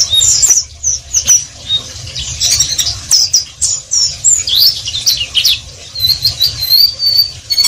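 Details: High-pitched ngeriwik song from an Oriental white-eye (pleci): busy twittering chatter of quick slurred notes, ending in a run of thin repeated whistles, with a low background hum.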